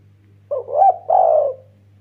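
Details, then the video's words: Spotted dove, 'kuk 1' style lure bird meant to provoke other doves: a soft short note running into a wavering low coo, then a longer mellow falling coo, with a constant low hum beneath. "BURUNG DERKUKU MASTER GACOR KUK 1 BIKIN RIBUT TEKUKUR LAIN, PANCINGAN"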